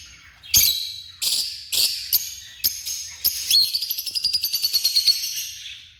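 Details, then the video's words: African lovebirds utter several sharp separate shrieks, then a fast, even rattle of clipped high notes, about six per second, that fades out. "The Vibrant Sounds of African Love Birds"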